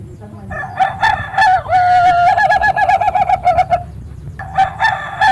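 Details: Ayam Ketawa rooster crowing: a stuttering, laugh-like series of rapid nasal syllables, then a steadier sustained stretch, with a second burst of quick pulses after a short pause.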